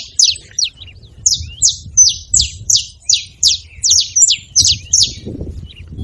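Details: High, clipped chirps from a saffron finch, spaced fairly evenly at close to three per second, each note a quick downward slur, with low background rumble beneath.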